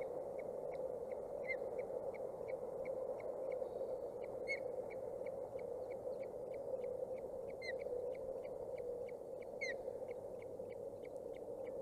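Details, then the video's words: Two osprey chicks, 29 and 27 days old, at a Boulder County, Colorado nest cam on 14 June 2019, totter and give thin, high chirps, two or three a second, with sharper rising notes, over a low rushing hum. "Chicks being chicks: Tottering, teetering, and chirping"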